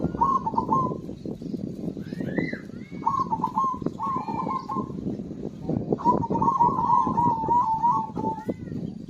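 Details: Zebra dove singing vigorously to stimulate birds that have stopped singing: quick rolling coo phrases, then a longer warbling trill near the end, with a dense low ticking background.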